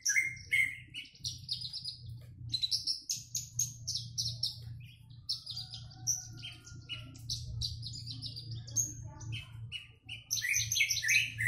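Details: Javan bush lark, kept and sunned before singing, pouring out a loud, fast, jumbled song of mixed chirps, squeaks, slurred whistles and high buzzy notes, barely pausing, over a constant low hum.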